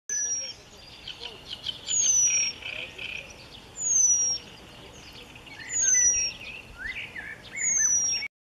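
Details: A Eurasian penduline tit on 1 May 2015 at Jaworzyna Śląska gives thin, very high, drawn-out descending whistles about every two seconds, over other birds' chattering calls.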